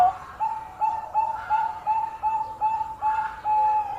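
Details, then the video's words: Bangkok zebra dove singing, said to entice rivals to answer; a regular series of short, even, mid-pitched coos, about two or three per second, over faint background hiss. "Perkutut Bangkok Gacor Pandai Memikat Lawan Bunyi"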